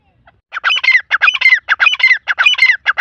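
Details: Iranian grey partridge giving a fast, rhythmic run of scratchy squawking notes in linked pairs, each pair a rasping note followed by a shriller squeaky one, repeated nearly twice a second without pause.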